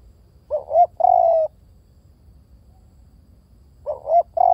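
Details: Spotted dove calling twice. Each phrase is a soft two-part hoot, then a long, level coo. About two and a half seconds of quiet separate the phrases, and the second phrase is cut short at the end.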